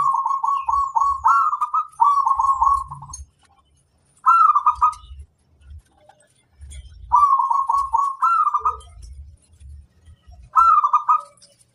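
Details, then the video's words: Sustained singing from a local wild zebra dove: rapid rolling coo phrases in quick succession, some long and stuttering, others short with a high accented note, repeated over ten seconds with soft low thumps between. "Suara sang masteran burung perkutut lokal alam"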